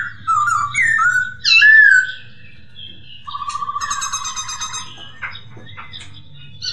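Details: Masked laughingthrush (poksay hongkong) singing, used as a therapy sound to train and stimulate kept birds: slurred whistled phrases rising and falling, then a fast buzzy rattling trill, followed by scattered softer notes over a low hum.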